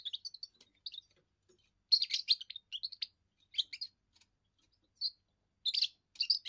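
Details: First song of a young European goldfinch, used for territory defence and courting females: bursts of chattering, tinkling notes with brief pauses, some phrases rich and buzzy.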